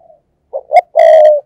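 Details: Spotted dove lure in 'thúc gù' cooing, meant to stir wild doves: two short clipped coos leading into one loud, steady, rich coo about half a second long.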